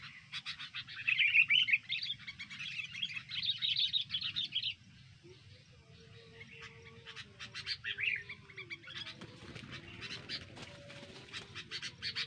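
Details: Sooty-headed bulbul sound used as a lure for bird trapping: dense bursts of harsh, buzzy chattering notes, then a quieter stretch of rapid clicking chips repeated several times a second, with a low background hum throughout.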